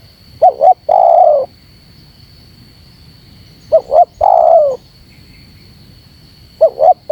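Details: Wild-dove-provoking call of a spotted dove. Three phrases, each two clipped hoots then a prolonged descending coo, come at uneven intervals of around three seconds. The last phrase is cut short, and a faint steady electronic tone persists.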